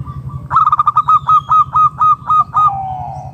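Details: Zebra dove of local wild stock calling as a lure for other doves: a rapid, regular string of short, hollow, clipped notes, fading into a drawn-out coo, with a constant low hum beneath.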